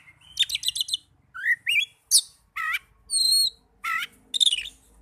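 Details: Oriental magpie-robin song, played as therapy to get young or silent birds singing: a varied string of sharp chirps, rising whistled slurs and a clear level whistle, each phrase separated by short pauses.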